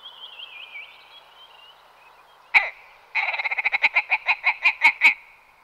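A willow ptarmigan gives one harsh croak, then a run of about a dozen nasal, rattling notes that start fast and slow toward the end; a faint whistle precedes it.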